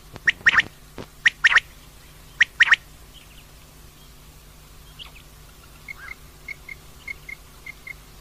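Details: Common quail, said to be female, repeating clipped three-note calls during the first three seconds, then quiet, then a run of soft, evenly spaced high pips; low constant hum throughout.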